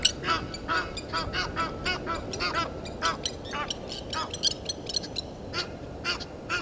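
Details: Irregular bursts of grating honks as Egyptian geese dispute with intruding geese at Gowrie dam, Djuma Game Reserve, Sabi Sand Wildtuin, South Africa, at 17:08 on 10/04/21.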